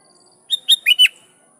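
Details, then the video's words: Single song phrase of a lively sooty-headed bulbul calling rivals: four crisp whistled notes in under a second, the first two level, the final pair swooping downward. "Suara Burung Kutilang Gacor Memanggil Lawan || Kutilang liar nyaut dan GACOR"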